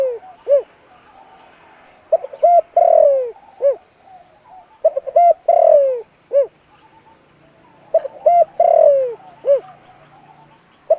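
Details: Spotted dove used as a decoy, calling to lure wild doves: three phrases of soft, low cooing, each a few short notes and a longer drawn-out falling coo, spaced about three seconds apart.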